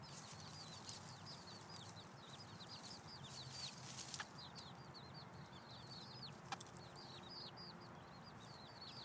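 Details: Hen and six chicks foraging by scratching for food in late July: a steady stream of thin, high, downward-sliding chick peeps over constant background hiss, with a couple of sharp clicks.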